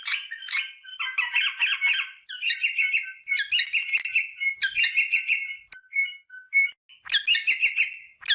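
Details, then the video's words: Rosella sounds meant to encourage females to mate: long runs of fast, squeaky, chattering notes in loud bursts, with a few brief clear whistled notes near the middle, and no other sounds. "صوت طائر الروزيلا للتحفيز على التزاوج │The sound of the rosella bird to stimulate mating"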